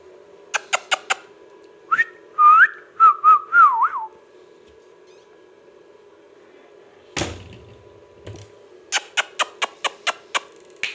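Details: Talking ringneck parrot kept as a pet gives a few clicks and then a short warbling, wavering whistled phrase. A loud bump follows, then a quick series of sharp tapping clicks.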